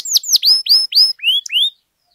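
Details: Canary singing at length, used as a master song for training other canaries: a quick series of clear, loud syllables, first sharply falling whistles, then upward-sweeping notes with harmonics, about six phrases in under two seconds, then silence.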